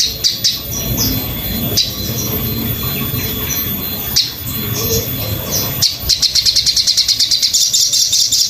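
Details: Master recording of sogon song for teaching birds: scattered high chirps over a steady noisy background, ending in a fast, even trill of bright, ticking notes.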